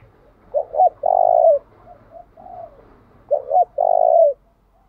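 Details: Decoy spotted dove calling to attract wild doves, alternating its song patterns. Paired quick hoots and a long, even coo are repeated twice, separated by softer low gù notes, with a faint low hum behind.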